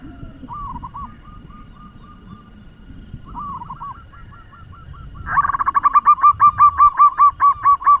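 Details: Local lure zebra dove singing fast to rouse other doves: distant, softer runs of coos at first over low rumbling, then a loud close series of rapid, evenly spaced bubbling notes.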